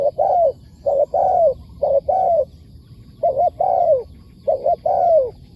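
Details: A wild spotted dove calls back to a decoy bird. It gives about four phrases, each one or two short clipped coos and then a drawn-out downward-sliding coo, in a quiet background.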